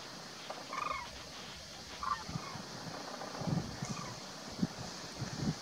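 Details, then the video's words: Cranes flying in give a few distant, rolling trumpeted calls, spaced about a second or two apart, over steady wind noise and low rumbling. "Einfliegende Kraniche"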